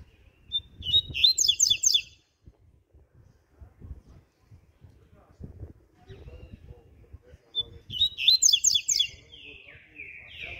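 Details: Morning song of a double-collared seedeater in the ziper style: two short bursts of rapid, buzzy, high trilled notes about six seconds apart, the second ending in a falling slurred tail, with low rumbling background noise between.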